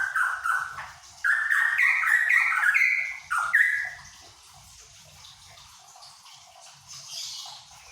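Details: Cucak pantai, a Papuan endemic bird, singing a lively run of rapid, slurred notes for about four seconds before falling quiet, with faint high background noise afterwards.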